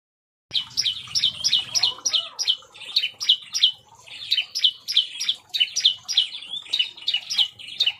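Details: Bar-winged prinia singing agitatedly in an aviary: after half a second of silence, a fast run of sharp, high, clipped chip notes, about three per second, kept up with brief breaks.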